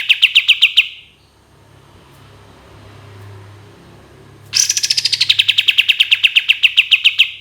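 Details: Cream-vented bulbul performing the long 'tembakan' shooting song. A fast trill ends, and a few seconds of faint low hum follow. Then another rapid volley of sharp repeated notes starts high and steadies lower.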